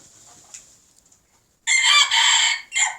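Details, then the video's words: Red junglefowl males, old birds crowing alongside young learners: after faint distant notes, a loud, harsh crow bursts in, runs for about a second, breaks briefly and ends with a short final note. "Red Jungle Fowl Crowing"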